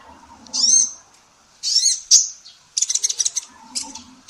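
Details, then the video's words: Female olive-backed sunbird, actively singing, recorded to train songbirds: a few high slurred whistles and a short burst of fast chirps over a faint low background hum. "SUARA BURUNG KOLIBRI NINJA BETINA GACOR"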